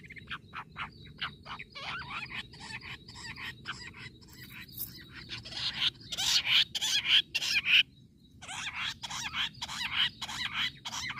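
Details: Jungle bush quail, recorded in a quail-hunting context, gives rapid, scratchy, high chirps that repeat steadily and grow louder and harsher halfway through, over a faint low background hum.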